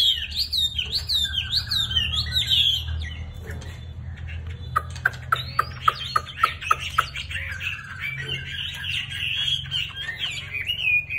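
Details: Chinese hwamei song: high wavering whistled phrases, then a fast run of sharp clicking notes and a long warbling stretch, with low background rumble.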